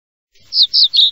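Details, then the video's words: Common reed bunting, in Europe or the Jura, gives a brief song of three or four quick, high, slightly buzzy chirps in about a second, with nothing else heard. "bruant des roseaux"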